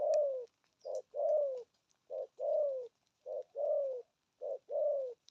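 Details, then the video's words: Spotted dove with a deep 'thổ âm' voice, cooing in the 'thúc' and 'gù' styles: a short coo alternates with a longer, downslurred coo, each pair about a second apart, in steady rhythm with faint clicks behind. "Thổ âm cực phê! thuc gù thúc kèm bài bản"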